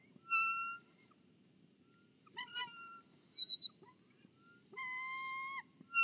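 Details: Nest-cam recording from Kisatchie National Forest of a bald eagle guarding its egg on the nest: long, steady, clear whistles rich in overtones, separated by a jumbled burst of squeaky notes and quick sharp pips, with a quiet low hum beneath.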